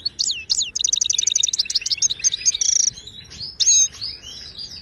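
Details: Moroccan wild goldfinch song of the Widani style, for tutoring caged birds: two looping whistles lead into a dense, fast tinkling trill, a brief buzzy burst, then liquid slurred twitters.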